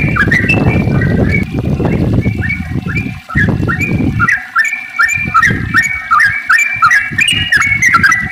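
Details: Sooty-headed bulbul 'ropel panjang' song, played so that other bulbuls start singing: rapid chattering whistles, masked by heavy low rumbling for the first few seconds, then a clear run of quick bubbly notes.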